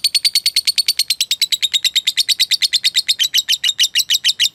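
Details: Caged lovebird giving a long 'ngekek panjang' trilling song, used as master material for training lovebirds to copy: a rapid, even series of high, sharp chattering notes at roughly seven per second, held steadily throughout.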